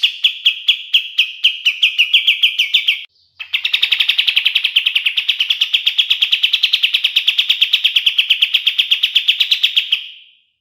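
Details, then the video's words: Kapas tembak bulbul song used as master song for training songbirds: a short run of sharp repeated notes, then after a brief pause a long, fast, steady rattling trill of bright mid-pitched notes that fades out at the end. "SUARA KAPAS TEMBAK SUPER JERNIH UNTUK MASTERAN BURUNG JUARA"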